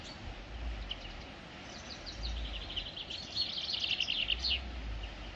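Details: Bird calling outdoors: scattered thin high chirps early, then a rapid chattering run of twittering notes in the second half, over steady low rumbling background noise.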